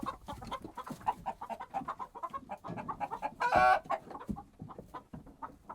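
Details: Flustered hens in a bustling henhouse, rapid nervous clucking from several birds with a loud harsh squawk midway, plus scratching and shuffling sounds.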